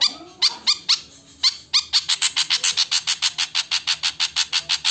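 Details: Javan flycatcher giving an alarm call: a few scattered harsh ticks, then a fast steady series of dry broadband clicks about five per second. Faint background hum.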